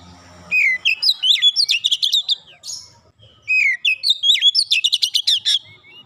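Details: Oriental magpie-robin for training therapy: two long, fast phrases of varied whistles, buzzy chips and upswept notes, separated by a brief silence.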